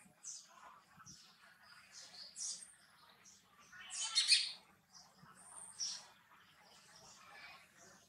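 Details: Sparrow chirping, with short high chirps and twitters scattered irregularly through the clip, one louder burst near the middle, over a faint low hum.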